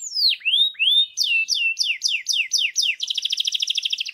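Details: Gray canary singing: a series of loud descending whistled sweeps, then hooked down-slurred notes repeated rapidly, ending in a fast rattling trill of many quick notes; clean recording with no other sounds.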